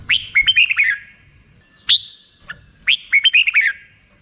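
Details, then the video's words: Song of a black-crested bulbul: cheerful liquid phrases of several bright notes that step downward, a single loud upslurred whistle between them, then the tumbling phrase again. "suara burung merbah jambul"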